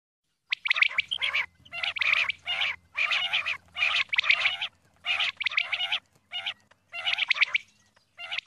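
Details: A female common quail calls steadily, a string of about a dozen harsh, raspy bursts, each roughly half a second long and spaced evenly, with a faint low hum beneath.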